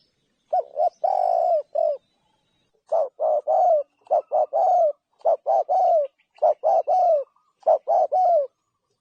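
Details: Spotted dove cooing continuously, giving several back-to-back phrases. Each phrase has short notes leading into a longer, slightly falling, burry coo, with only brief pauses between phrases.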